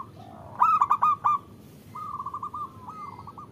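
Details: Female zebra dove calling the male, a local Indonesian bird used to lure males into cooing: a loud burst of rapid staccato notes, then a softer, even run of short cooing notes at a steady mid pitch.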